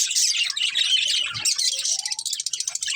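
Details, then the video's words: Budgerigar family with a breeding pair: rapid high chatter, then a short rising whistle and a run of evenly spaced ticking notes at the close. "Beautiful Budgies Chirping Sounds | Love Birds Breeding Pair | Budgies Family"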